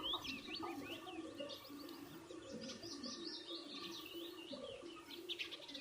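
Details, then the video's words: Several birds chirp while eating, with wavering high tweets and short warbled phrases running together throughout, over a steady low hum. "bird chirping sound | birds chirping sound effect | birds eating food videos"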